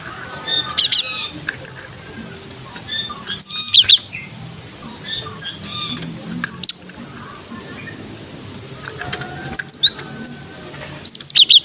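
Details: Gelatik batu (cinereous tit) singing steadily, played to coax young or quiet birds into song: thin, high, repeated note groups delivered in uneven bursts, with fainter chirps and scattered clicks between phrases.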